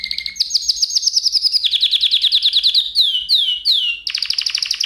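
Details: Canary tutor song for other canaries: a buzzy trill over a low whistle, then fast rolling trills that step down in pitch, three loud descending sweeping notes, and a closing rapid trill.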